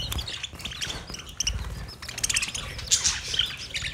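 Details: Budgies in a mating sound session: sharp high chirps and clicking notes, busier in the second half with a few clear whistled peaks, over a soft low hum.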